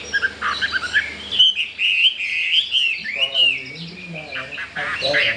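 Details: Captive Chinese hwamei, new to its home and wanting to breed, sings a long smooth wavering whistle that climbs and dips, then a few shorter looping notes, with faint background chatter.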